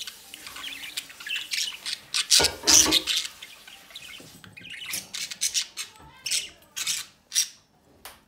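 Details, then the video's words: Pet budgerigars at the nest, the parent pair feeding one of their chicks from the nest entrance; harsh, buzzy, high squawks come in irregular bursts about two a second, with one louder, broader rasping burst near the middle. "Mi Pareja de Periquitos Australianos alimentan uno de sus Pichonsitos desde la puerta del nido"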